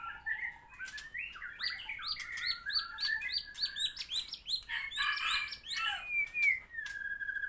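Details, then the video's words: White-rumped shama in full song after its moult, pouring out rapid rising whistles and clicks in a crowded, varied stream, ending in a long drawn whistle. "Murai Gacor setelah mabung"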